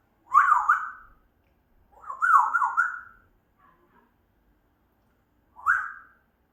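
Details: Pet African grey parrot making three separate warbling whistled phrases, each wavering up and down before trailing off, with gaps of one to two seconds between them.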